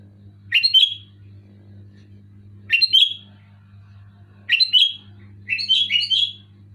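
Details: Loud, clear Sooty-headed bulbul song made of four short, bubbly, warbled phrases about two seconds apart, the last one longer and more complex, with a constant low hum underneath.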